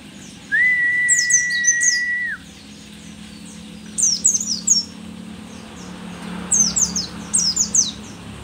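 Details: Rare Merapi mountain white-eye, an old but still keen singer; a long level whistle is followed by three groups of quick, high, down-sweeping chirps spaced a few seconds apart.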